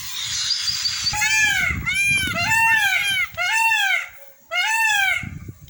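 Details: Blue peafowl in Pernambuco, Brazil, calling during the day or at sunset: after a burst of hiss, a series of loud arched wailing calls, about four in quick succession, over low rustling and background noise.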